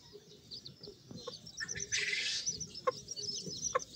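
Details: High peeping from a group of Sebright chicks, quick thin notes running together, broken by a short rustling burst midway and a few sharp taps near the end.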